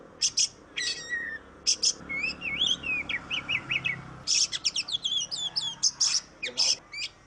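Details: Oriental magpie-robin singing vigorously as a lure for birds that sing little: harsh high bursts alternating with twisting whistled slurs and rapid chip series, continuous and varied throughout.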